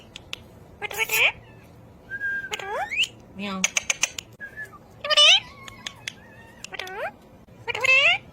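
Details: Speech mimicry by a ring-necked parakeet: intermittent voice-like harmonic phrases, level whistled tones and a short run of rapid clicks, with quiet gaps between phrases.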